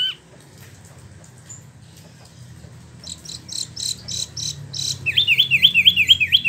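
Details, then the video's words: Captive Spot-throated Babbler, Bandung, West Java, imported from China and Vietnam: faint opening, then soft high chips leading into a fast series of six looping whistled notes. "Wambi Mini / Tieu Mi (Pellorneum albiventre) ngeroll"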